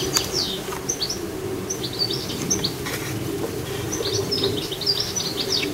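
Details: Goldfinch twittering in a garden: lively series of short high chirps and tinkling notes spread through the phrase, with constant low background hum.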